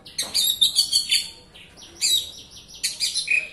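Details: Lure song of a White-rumped shama to prompt a silent bird: bursts of rapid chirping and whistled trills, a brief quieter gap, then more ringing whistles.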